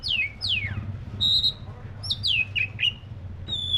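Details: Black-breasted oriental magpie-robin in clear song: loud, sweeping whistles sliding down from high to mid pitch, a sustained high note, and quick repeated downslurs, with a low hum underneath.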